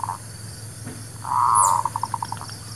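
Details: Zebra dove song from a local bird, used as a trapping lure and for new birds: a drawn-out soft coo followed by a rapid run of evenly spaced short notes, with a brief high chirp and background hum.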